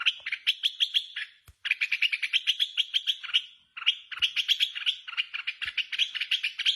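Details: Red-whiskered bulbul singing in contest, described as released outdoors and calling harshly. Dense, continuous trains of quick chirping notes run in long phrases broken by two short pauses, with occasional soft knocks.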